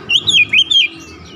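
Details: Short phrase from an Oriental magpie-robin: four slurred, looping whistles in quick succession, then quiet with a faint background hum.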